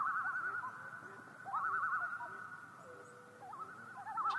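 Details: Common loon uttering loud, rapidly trembling calls, a laughing wavering note repeated in three bursts, with a second fainter loon answering at a slightly lower pitch.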